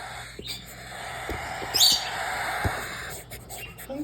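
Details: Three hungry cockatiel chicks about to be fed give a steady, raspy hissing chatter with one brief high rising squeak, and a person's voice comes through underneath.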